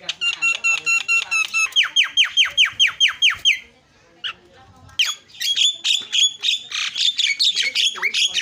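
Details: Actively singing starling, used as a lure to make other birds call: a fast series of sharp, ringing harmonic notes, a short lull, then a dense burst of scratchy chatter and repeated notes.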